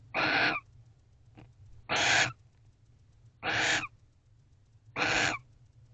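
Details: Barn owl at a nest box before dawn, 5:19 am on 29 November 2023, around mating, giving four harsh, hissing screeches of about half a second each, spaced roughly one and a half seconds apart, with a faint low hum behind.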